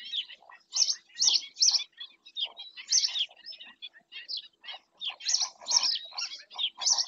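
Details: Black-winged stilt in Doñana National Park, Spain, picked up by a nature camera: sharp, nasal yelping notes in quick, irregular bursts, some strong and some softer, with short gaps between clusters.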